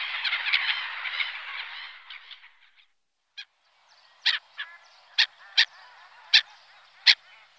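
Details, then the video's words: Black-headed Gulls (Larus ridibundus): a dense, harsh chorus of overlapping screeching calls fading into a quieter run of sharp, scratchy single notes about once a second. "Black-headed Gull / Larus ridibundus"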